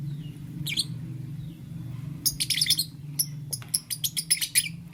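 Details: Pet lovebirds, green, yellow and lutino, in the morning: a few isolated shrill chirps, then a lively stretch of rapid, sharp, high chirps repeated several times a second, with a loud low hum throughout.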